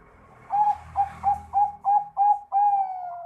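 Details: Bangkok-type zebra dove singing steadily, used to prompt reluctant doves to answer: a run of seven short, clear whistled coos at an even mid pitch, roughly three per second, the last note drawn out and slightly falling. Faint low room rumble.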